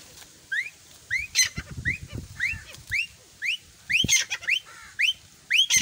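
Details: Grey francolin, called teetar, a calling bird: shrill rising upslurred notes, often doubled or grouped in short bursts, repeated roughly every half second to second, with faint low rustling and thumps beneath.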